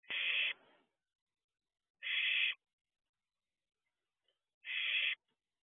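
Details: At 4:31 am on 6/2/23 a barn owlet peers out of its owl box, uttering three loud, grating shrieks about two seconds apart, the first trailing off into a softer rasp.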